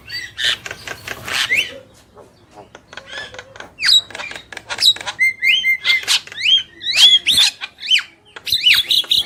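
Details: Javan mynas, a male and a female, chattering: harsh raspy bursts give way to clear flat whistles and sharp rising squeaks, delivered in quick irregular sequence.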